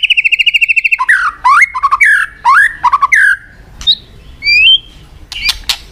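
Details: White-rumped shama song, a recording meant to stimulate listless shamas: a loud, fast run of repeated whistled notes, then varied rising and falling slurred whistles and sharp high chips, close and clear.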